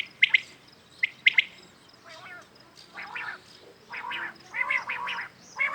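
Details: Common quails calling in the morning; a few sharp, clipped three-note calls early on, then rougher raspy bursts repeating about once a second against a quiet background.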